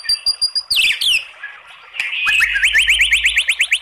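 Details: White-rumped shama kretekan-style song with long 'tembakan' phrases, used as a lure to provoke other shamas to sing: a thin steady whistle and sharp sweeping notes, then a fast run of repeated rising chips, about three per second, over faint low hum.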